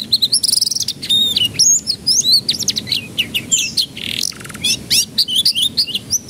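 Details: Canary song intended to coax young canaries into singing: dense, rapid chirps and trills, whistled slurs and a brief buzzy burst near the end, almost without pause.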